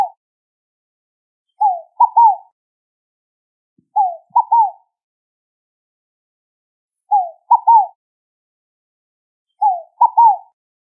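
A Scaled Dove repeats a low, hollow three-note phrase, a falling coo and then two quick notes, about every two and a half seconds against silence.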